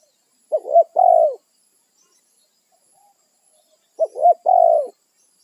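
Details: Wild spotted dove calling its companions, territorial: two phrases, each a pair of quick looping coos then one drawn-out falling coo, separated by about three seconds of silence.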